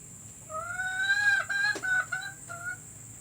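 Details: Hen call meant to coax hens into laying: a long, drawn, slightly rising nasal note, broken into pieces, then a short final note. A faint click sounds in the middle.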